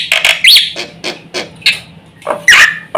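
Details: Loud black-winged myna phrases used as a lure to set other mynas calling: rough, grating squawks and chattering notes spaced irregularly, with a couple of sharper rising slurs.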